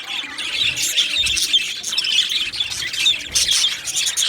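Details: Colony of Australian budgerigars in an aviary, July 2025: bursts of loud, harsh chirps and squeaky warbles rise and fall over constant busy chatter from many birds.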